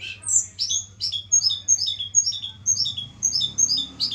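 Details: Caged Javan tledekan gunung, set up for pairing with a mate; a steady string of paired notes, a high whistle dropping to a lower one, repeated about every third of a second over a faint low hum.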